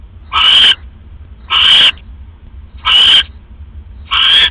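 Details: Owl at a nest box in the early hours of October 5, 2015, as the male brings another rat; four loud, grating hiss-screeches, evenly spaced about 1.2 seconds apart.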